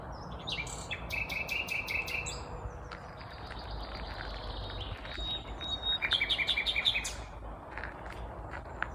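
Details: A vagrant common nightingale sings on a May morning in Kvarnbo, an Uppsala suburb in Sweden, the bird unseen. Rapid repeated chopped notes come in fast series, with high thin whistles from other birds over steady background noise.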